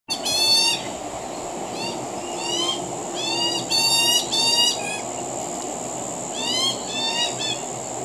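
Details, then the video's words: Young magpie begging noisily for food while a parent feeds it in a backyard; harsh, rasping calls with layered overtones come in short bursts about once a second, over a steady high thin whine and a low background hum. "Young magpie begging for food"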